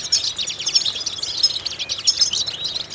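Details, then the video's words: A goldfinch sings to stimulate other goldfinches: lively, tinkling twitters and quick downward-slurred notes pour out steadily, with bright high pips repeated through the short phrase. "important vocal exercises necessary to stimulate goldfinches"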